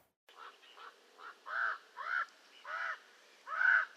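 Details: Common raven giving a run of seven hoarse, croaking calls that start soft and grow steadily louder and longer toward the end.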